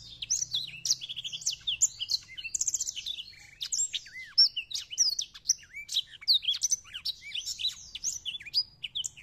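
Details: A captive Botswana black-throated canary, singing with wings spread, gives a fast, continuous warble of high twittering notes, trills and slurred whistles with no pauses.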